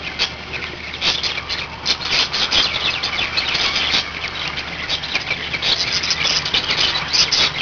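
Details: Pet budgerigars, five birds kept together, give a continuous busy chatter of buzzy squeaks and short bright chirps, loud throughout, with a faint low hum beneath.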